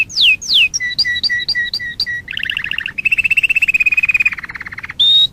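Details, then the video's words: Canary from a select breed in song: two downward sweeps, a run of paired rising and low notes, a buzzy trill, then a long rapid trill and a high whistle at the end. "اروع وافضل سلالات طيور الكناري"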